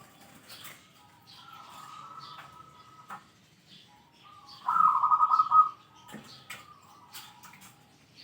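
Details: Zebra dove, a kept singing bird, calling out rivals: a faint drawn-out note, then a short loud burst of quick rolling coos near the middle, with light clicks.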